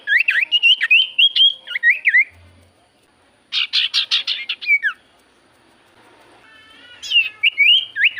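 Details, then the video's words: Javan white-eye lure song to make other birds sing: lively strings of sharp, up-and-down whistles, a burst of harsh chattering notes, then renewed quick whistled phrases. "Pancingan Burung sirtu cipoh gacor"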